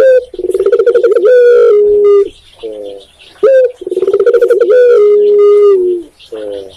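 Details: Spotted dove, locally tekukur, in Indonesia repeating its song twice: a bubbling run of quick pulses flowing into a sustained, gently dropping coo, each phrase followed by a softer low note.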